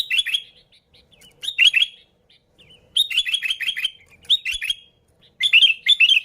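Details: Sooty-headed bulbul song used as a lure to attract bulbuls: bubbly, liquid phrases of three to five quick falling notes, given in bursts roughly every second or two with short silent gaps.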